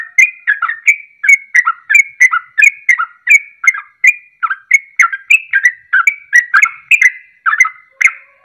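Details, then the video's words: Sooty-headed bulbul giving rapid ropelan-style song, used as a lure to make other birds sing along: bubbly, gurgling whistled phrases, each with a rising then falling slur, repeated quickly and almost continuously with no other sounds. "Ropelan Trucuk Ini Ampuh Untuk Pancingan Langsung Pada Ikut Ropel"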